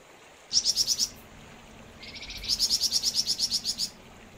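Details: Flamboyan bird singing vigorously: a short run of five sharp, high chirps, a pause, then a soft buzzy lead-in rising into a longer series of about ten rapid, evenly spaced high chirps.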